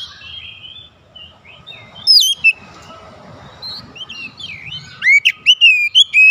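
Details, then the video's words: Oriental magpie-robin calling, answered by others: faint distant whistles, one loud sharp phrase, then soft warbling and a closing burst of rapid bright whistled notes. "KACER MEMANGGIL KAWAN | KACER LAIN LANGSUNG RESPON GACOR"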